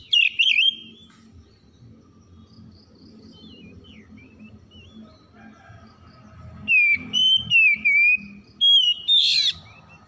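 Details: Kacer bahan, an untrained Oriental magpie-robin, reacting with gacor singing: a harsh opening note, a long stretch of faint scattered whistles, then a loud series of clear, sliding whistled phrases and a rasping burst, over low background rumble.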